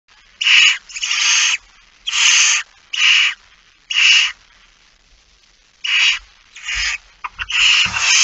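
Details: Barn owl nestlings begging at feeding time in It Fryske Gea, recorded 13 September 2019 at 06:57; harsh hissing snores in short bursts, some run together, with brief gaps between groups.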